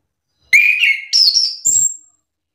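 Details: Orange-headed thrush singing to prompt a reluctant bird into an answering duet: three quick whistled notes, the first falling, then two higher, thinner and steadier, in a burst of under two seconds.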